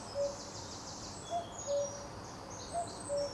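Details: Common cuckoo calling at Potteric Carr Nature Reserve on the second of June. Two clear cu-coo calls, each a higher hooted note falling to a lower one, repeat about every 1.4 seconds. Faint high twittering of other birds sits behind.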